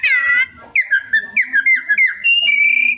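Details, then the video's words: Songbird phrase: a loud rich whistled note, then a string of about eight short, evenly spaced falling whistles, finishing with a long, steady high whistle. "Suara Kacer Gacor Rajin Bongkar Isian"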